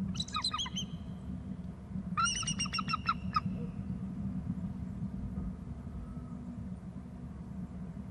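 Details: Eagle calling at 13:16, perhaps two birds side by side and another nearby: two quick bursts of sharp, high yelps in fast succession, followed by several seconds of low rumbling background noise.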